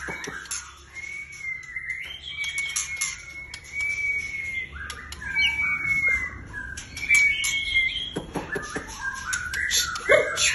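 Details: Captive white-rumped shama in full song, with long sustained pure whistles held level, broken by buzzy fluttering notes and sharp clicking bursts, then more whistles and harsh chatter near the end.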